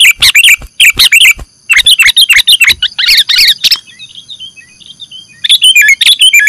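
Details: Lure for catching sooty-headed bulbuls: rapid chattering bursts of chips and twisting whistles, a quieter interlude of soft high notes, then another lively burst.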